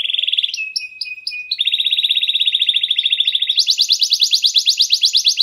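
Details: Clear-voiced canary singing to coax other canaries into song: a high buzzy roll, a steady flat trill, then a faster, higher rattling series of downslurred notes.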